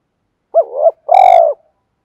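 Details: Spotted dove kept as a lure bird, in the thổ sấm voice style: two short coos, the first soft and wavering, then a longer, louder, steady coo, all low and mellow.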